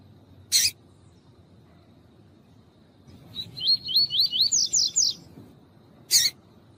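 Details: Double-collared seedeater male warming up to sing, with a female calling; a short series of rapid, looping whistled notes climbing slightly in pitch, between two sharp broadband clicks.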